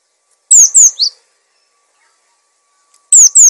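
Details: Cinereous tit (gelatik batu) in gacor song for masteran: loud steeply falling high whistles, two then a lower twist, followed by another pair of downslurs after a pause.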